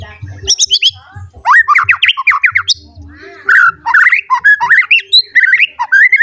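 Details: White-rumped shama, agitated and seeking a rival, singing a rich varied medley of loud whistled phrases, slurred notes and harsh chattering bursts, with faint low thumping underneath.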